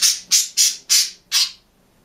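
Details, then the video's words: Five harsh, high, rasping squawks at an even quick pace come from a green budgerigar kept alone in a cage, singing and chirping. "МИЛЫЙ И ЗАБАВНЫЙ ПОПУГАЙ ПОЕТ И ЧИРИКАЕТ/ОДИН В КЛЕТКЕ"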